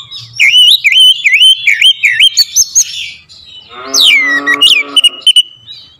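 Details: Lure song of the oriental magpie-robin (kacer), clear and sharp: a string of four rolling U-shaped whistles, ticks, then a harsh grating buzz beneath a swooping falling whistle, ending on a flat note.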